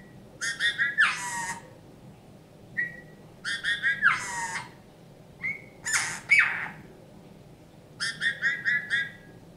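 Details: Eurasian bullfinch, a wild bird found injured and frozen in a snowdrift in January 2019 and kept since, sings learned phrases: nasal reedy piping alternating with creaky rasping downward squawks and soft whistles, about every two seconds.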